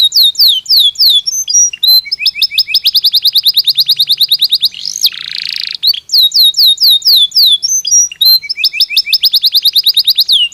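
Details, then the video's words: Belgian canary singing naturally, used for daily stimulation and song training: loud high rolling trills of rapid repeated notes alternating with downward-swept whistled phrases, a brief harsh buzzy burst midway. "Som de 1 Hora com Canario Belga Cantando Naturalmente – Ideal Para Estímulo Diário"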